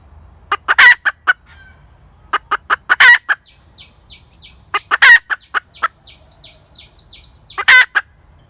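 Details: Cackling hen giving clucks that rise into loud rasping squawks about every two seconds, while another bird's thin high chirps repeat quickly in the background.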